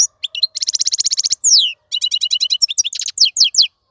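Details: Wild European goldfinch in a cage sings a fast rattling trill of repeated bright notes, a downward slurred whistle, then varied twittering and descending tinkling notes.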